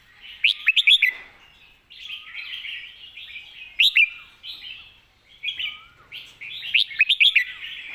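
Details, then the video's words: Master song (เพลงแม่บท) of a red-whiskered bulbul: bursts of sharp, rapid chirped notes alternating with lilting warbled runs, repeated in roughly four phrases across eight seconds, with soft gliding whistles underneath. "เพลงแม่บท นกเสียงทอง#เสียงนกกรงหัวจุก"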